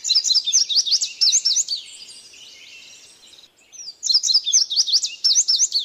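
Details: Ultramarine grosbeak singing in the wild: bursts of fast, high, sharp chirping notes, a quieter twittering stretch in the middle, then another rapid burst of chirps, over light background noise.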